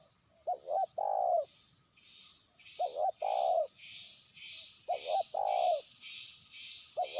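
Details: Trained lure spotted dove calling a faraway rival, giving repeated low phrases of two short notes and a longer coo about every two seconds, while a high, pulsing insect-like buzz rises behind it from the second phrase onward.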